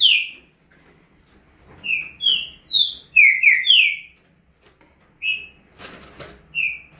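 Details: Green-winged saltator singing a fast, energetic 'estouro' style song: loud, clear whistled notes, many sliding downward, delivered in quick bursts of about eight phrases, then a pause and a brief broadband rustle near the end.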